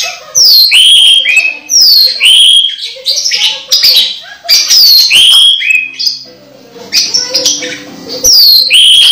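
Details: Orange-headed thrush close to moulting yet still singing actively, a caged bird: loud varied phrases of clear whistled notes sliding down from high to mid pitch, mixed with rapid chattering and mimicry-like fragments, delivered in bursts with short pauses.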